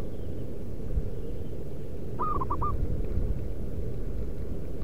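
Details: Wild local zebra dove (perkutut) used as a lure: one brief phrase of four quick, clipped cooing notes near the middle, otherwise only a constant low rumbling background.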